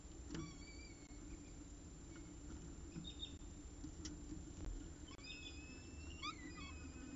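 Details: A peregrine falcon with its last prey of the day, at 6:54 pm on 14 October 2019, gives thin, whining, slightly rising wails in short bursts, sometimes overlapping, over a steady low rumble of traffic and wind.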